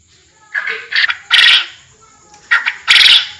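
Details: Forest quail calling: two harsh, loud, broadband call bursts, each led in by short rising notes, with a faint steady high whine throughout.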